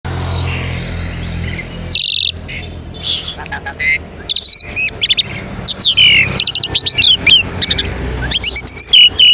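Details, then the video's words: Asian pied starling lure song meant to stimulate other starlings to sing, with a varied run of buzzy bursts, sharp chattering clicks and slurred rising and falling whistles, after a low steady hum at the start. "Pancingan jalak suren bahan untuk terapi cepat bunyi"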